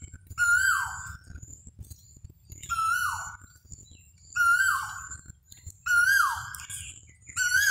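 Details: Five loud, clear koel notes, each rising briefly and then dropping in a swooping whistle, spaced evenly about every second and a half against a quiet low hum.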